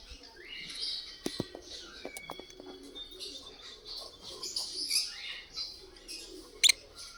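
Lovebirds chatter in a busy stream of high, shrill chirps and squeaky notes, with a few sharp clicks and knocks mixed in.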